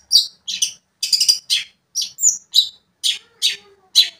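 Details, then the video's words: Long-tailed shrike (cendet) in full song meant to provoke another shrike, giving evenly spaced harsh, rasping notes with a thin whistle mixed in, about two per second. "cendet gacor memancing emosi cendet lain"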